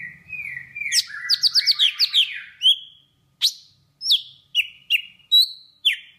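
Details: Vietnamese golden-fronted leafbird song, played to lure birds into traps: a fast, varied run of slurred chirps and bright whistles, tumbling into a cluster of quick notes, then spaced single down-swept whistles after a brief pause.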